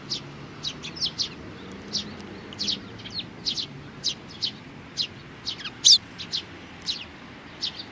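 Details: Steady stream of high, clipped sparrow chirps from 27 June 2019, a youngster doing its best, notes following each other every fraction of a second, one especially loud near the end.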